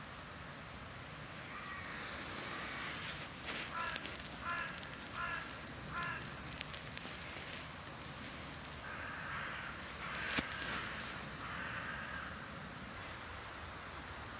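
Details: Carrion crows from a large flock that visits a regular feeding round, recorded on a cold January 2021 day near 0 degrees with a south-southwest wind: a short series of hoarse, repeated caws midway, over steady rushing wind noise and scattered clicks.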